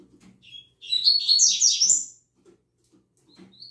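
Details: Double-collared seedeater kept in a cage, singing at dawn: a dense, buzzy warble of quick high notes lasting over a second, followed by a few soft thin notes amid faint low clicks.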